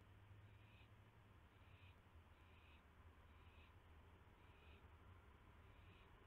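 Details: At 9:38 PM on May 9, 2016, an owl gets a mouse. Soft, scratchy hisses repeat about every second, six in all, over a constant low hum.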